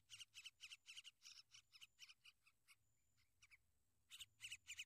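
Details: Sooty-headed bulbul defending and looking after its young: rhythmic rasping chatter notes, about four each second, that fade and thin out midway, then return as a loud burst of three or four harsh notes.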